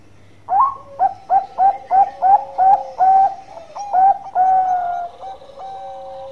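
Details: Bangkok-type zebra dove, or perkutut, singing actively with a long-voiced song: a rapid run of short clipped mellow coos, about three per second, ending in a few longer drawn-out notes, with quiet background.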